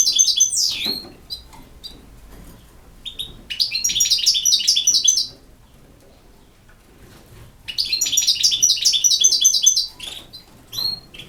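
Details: Three bursts of bright, rapidly repeated twittering notes with liquid chirps and thin whistles from a European goldfinch singing campero-style song, separated by quiet gaps with scattered soft ticks.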